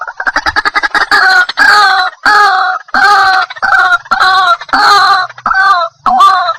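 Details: White-breasted waterhen starting with a fast stuttering burst of short notes, then switching to long, loud, nasal braying calls rich in overtones, repeated with brief gaps; faint low hum in the background.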